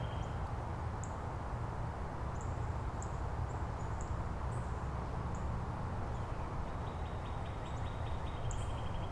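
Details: Northern Cardinal at Angrignon Park answering neighbouring cardinals with song variants; a rapid run of short repeated units near the end, while thin high notes of other birds sound sporadically and low rumble persists.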